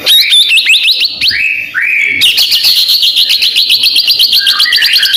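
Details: Medan white-rumped shama, described as singing hard and ready for contest hanging, pours out fast high-pitched phrases: chattering whistles, then a longer sustained warble with quick repeated upper notes running continuously.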